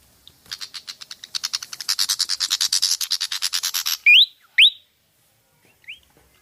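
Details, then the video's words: Pied fantail, Rhipidura javanica, a lure recording for prompting birds to sing: a long accelerating harsh chatter building for four seconds, followed by two loud upswept whistles and a faint later whistle. "Pancingan suara burung kipasan/srikatan jawa javanica)"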